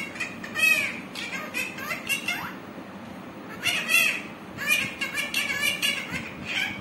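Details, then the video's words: Green parrot making speech-like chatter, voiced notes with rising and falling inflections in several short bursts separated by brief pauses, over low room noise. "Parrot original sound#parrot talking cute"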